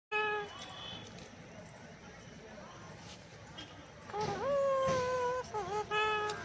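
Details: Captive Alexandrine parakeet (pahadi tota) saying "Har Har Mahadev": a hoarse, voice-like phrase with a long, drawn-out level middle and a short follow-up syllable, after a brief opening note, over steady background hiss.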